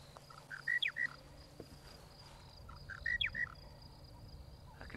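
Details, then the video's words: A Monotonous Lark, possibly farther away than first thought, repeats a short phrase of clear whistled notes with a downslurred twist about every 2.5 seconds over insect hiss; March 12, 2017, Djuma Game Reserve area, South Africa. "Monotonous Lark"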